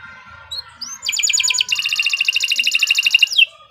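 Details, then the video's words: Canary of the Nusantara type singing for tutoring: a couple of soft thin whistles, then a bright pulsed trill that shifts into a long rapid buzzy rattle ending with a downward slur; faint low background hum. "Kicau Burung Kenari 134 II LUAR BIASA GACOR PANJANG Cocok untuk Masteran"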